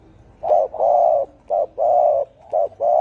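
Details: Spotted dove cooing in the deep 'thổ ồm' style for provoking field doves: loud low notes paired short then long, repeated in a steady rhythm, clear against a quiet background.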